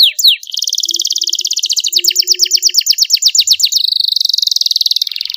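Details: Canary master training song for young canaries, a luxurious long-duration song with clear voice: rapid trills of sharp repeated notes, about eight per second, sliding and pulsing, then a buzzy sustained rattle to the end; a faint low hum beneath.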